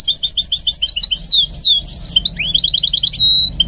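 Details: Song of a goldfinch mule being trained to sing: quick repeated high notes roughly three per second, then slurred descending whistles and a rising swoop ending in a fast twittering trill.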